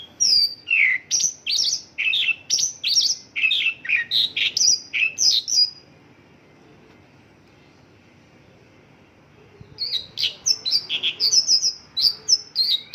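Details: Mongolian lark with local-bird fill-in song (isian lokalan): six seconds of dense, shrill, rapidly repeated chirps, a pause of roughly four seconds of near silence, then another quick burst of high twittering.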